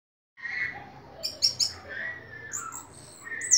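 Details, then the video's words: Ringed orange-headed thrush singing vigorously: a soft whistle near the start, then sharp high chips in a quick cluster, sliding whistled phrases and a shrill high note at the end. "Anis merah gacor teler"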